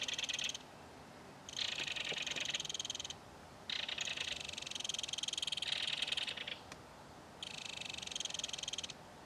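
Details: At a mud-bank nest, an adult belted kingfisher feeds its baby fish while the two call back and forth. Harsh rattling bursts of one to three seconds are separated by short silences.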